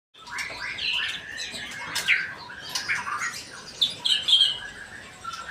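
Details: A male white-rumped shama sings a varied, rapid run of whistled and chattering notes, slurred up and down, with harsh squawky phrases and brighter high notes near the end.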